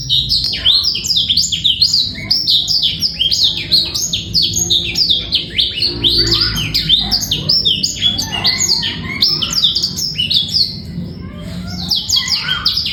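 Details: Extended clean song of a male black-throated canary for training young birds and stirring females to breed; dense, nonstop high warbling of quick chirps and slurred notes across thirteen seconds.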